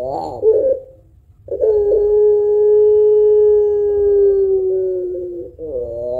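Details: Pelung-type Barbary dove with long, thick-voiced cooing meant to stimulate other birds; a short rough note, a gap, then a sustained level coo of nearly four seconds ending in a rising inflection.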